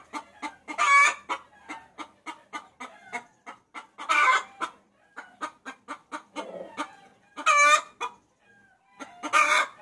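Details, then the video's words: Hen calling the rooster for luring: steady short clucks punctuated by loud, rough squawks recurring every few seconds. "Suara Pikat Ayam Betina Memanggil Jantan"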